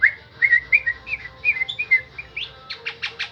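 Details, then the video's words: Starling singing in a strange but tuneful way: a run of short, warbling whistled notes at a steady pitch, ending in a few rough, buzzy clicks. "Dengar suara aneh tapi merdu burung JALAK"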